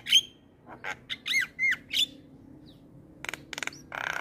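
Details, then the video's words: Javan myna, a caged jalak kebo kept for training other mynas, giving a varied chatter of short squawks and rising whistled notes, then a few dry clicking bursts near the end. "Semua Jalak Dibuat Emosi Dengar Ocehan Jalak Kebo Gacor"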